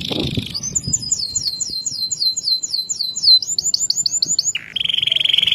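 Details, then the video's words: Canary of the loper type with a loud, clear song said to set other canaries singing: a fast series of repeated sweeping whistled notes, then a quicker rolling trill, ending in a steady high buzzy note. "Kenari loper ‼️suara jernih keras bikin kenari lain dengar ikut bunyi."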